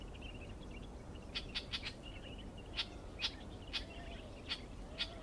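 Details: A Clamorous reed warbler at Stewartgunj, Andaman, gives sharp, dry chack notes, about eight spaced unevenly over five seconds, over a faint high twittering and a steady low background rumble.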